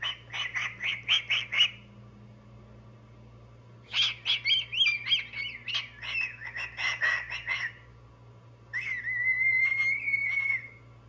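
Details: Captive male cockatoo warming up his voice: bursts of rapid chirps, a twittering warbled run, then a long, steady whistled note held for about two seconds, over a low household hum.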